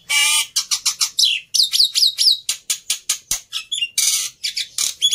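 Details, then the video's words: Agitated fighter Black-winged myna, recorded as a tutor for mute starlings: a loud rasping screech opens, then a rapid run of sharp chirps and clipped upslurred whistles, steady and dense. "Burung Jalak Putih fighter Emosi Nya kelewatan || Cocok Untuk Masteran Jalak Bisu"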